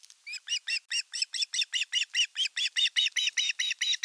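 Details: Osprey nest in Western Finland's Satakunta region, 5 August 2024, with the elder chick attacking the younger at fish delivery time. A steady, insistent stream of sharp high chirps, roughly four to five each second.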